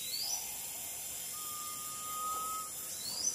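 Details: Drawn-out even whistle of a garnet pitta, lasting a little over a second, recorded in Taman Negara Sungai Relau, Pahang, Malaysia, August–September 2022; steady insect buzz above and faint rising notes from other birds.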